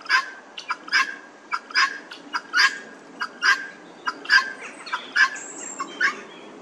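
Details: Helmeted guineafowl among a group in a Northamptonshire churchyard, England, giving a rhythmic series of short, harsh, clipped calls, roughly one every second, repeated steadily in a regular cadence with faint background calling.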